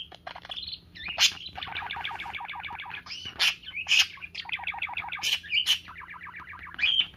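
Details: Parakeet kept as a pet, playing with its owner's fingers in trust, chattering continuously: rapid rhythmic pulsed warbling phrases punctuated every second or so by loud sharp squeaky chirps.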